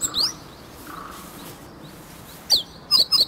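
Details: Relaxed meadow bunting practising song on 8 March 2011, close and unafraid; one bright falling note opens, faint murmurs follow, then a quick run of three or four high, sharp, downward notes.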